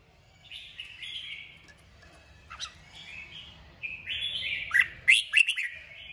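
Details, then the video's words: Kích bổi song of a red-whiskered bulbul, used to provoke birds into singing: quiet gurgled and warbled phrases build to a cluster of loud, sharp, chirping notes near the end. "Chào mào kích bổi cực mạnh. Nghe là hót 100%"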